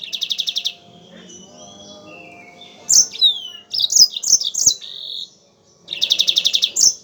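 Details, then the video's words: Yellow-fronted canary singing strongly, a recording used to train other birds. It opens with a fast buzzy trill, goes quiet, then gives a run of high sliding chirps and a held note, and ends with another pulsed trill. "MASTERAN BURUNG MOZAMBIK GACOR"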